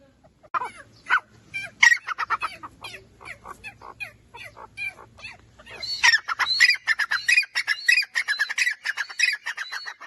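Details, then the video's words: Francolin, called teeter, played to make birds react: harsh, raspy notes repeated irregularly for six seconds, then a dense burst of higher chattering and squawky notes through the end. "Teeter ki awaz. teeter sounds. teeter voice."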